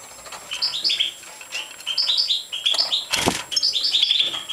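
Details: European goldfinch of the major form at feeding time: short, high chirps in quick clustered bursts, repeated throughout, with a loud broadband knock near the end.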